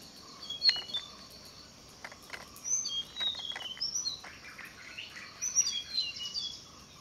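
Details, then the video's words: Tickell's blue flycatcher call: soft, high, thin whistles strung into short tumbling phrases. They repeat through the recording against a low hissing background with scattered ticks and taps. "Tickell's Blue Flycatcher (volume up for the birds call)"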